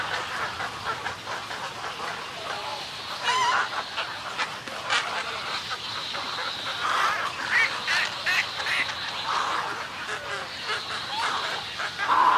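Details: Snowy egrets at their colony, recorded close, giving colony and greeting calls: a long stretch of overlapping croaking and gargling squawks, some sharper raspy notes standing out near the end.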